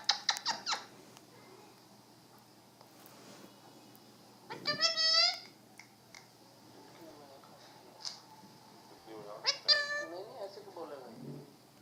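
Alexandrine parakeet giving three loud bursts of harsh, rasping squawks and talk-like phrases, with softer chatter between and a faint steady high hiss.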